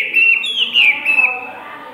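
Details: One-season-old tame Hwamei sings a short burst of loud, ringing whistles, sliding and wavering notes run together, then the phrase trails off into quiet.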